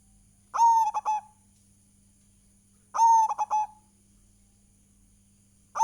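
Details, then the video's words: Local Indonesian zebra dove singing vigorously: a loud, clear cooing phrase of a long steady note followed by quick short coos, repeated about every two and a half seconds, over a faint steady electrical hum. "PANCINGAN PERKUTUT GACOR"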